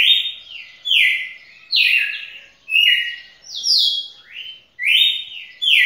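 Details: Record-breaking champion red-cowled cardinal singing for over two minutes; bright whistled notes in slurred, falling and rising pairs, delivered about once a second with brief gaps and no competing noise.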